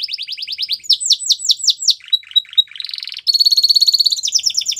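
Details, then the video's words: Song of a Belgian canary: a quick series of short repeated notes, then louder swooping whistles, a low rattling passage, and a bright, steady, high trill that changes into falling, chopped notes near the end. "Belgian Canary Song"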